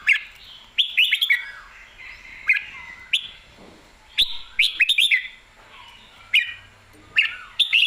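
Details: Red-whiskered bulbul singing short bubbly whistled phrases, each a quick cluster of warbling notes, repeated roughly every second or two with brief pauses.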